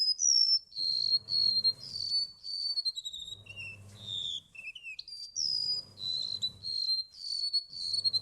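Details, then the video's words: Remetuk laut, the golden-bellied gerygone, giving continuous sweet high whistles that waver, fall and rise again in quick successive phrases, with a lower dip of notes midway, over a rhythmic low droning hum. "Burung remetuk laut"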